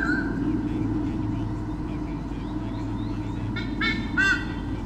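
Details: In 2013 at Sydney Olympic Park, Australia, a white-bellied sea eagle pair guards its territory against swooping currawongs. After a quiet stretch of low humming, two short, rough honks burst out near the end.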